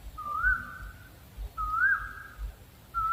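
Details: Owl calling with drawn-out whistles that rise and then trail off flat, two full notes about 1.4 seconds apart and a third just starting.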